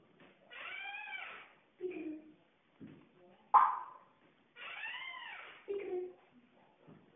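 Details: Pet African grey parrot playing peekaboo indoors, giving drawn-out, arched, meow-like calls, two long ones about four seconds apart, with shorter low squeaks and a sharp click between them.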